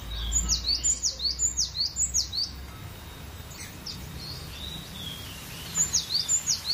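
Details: Cinereous tit repeating a ringing two-note whistled phrase, high then swooping down, about six times in a steady series, pausing, then resuming the same rhythmic phrase at the end.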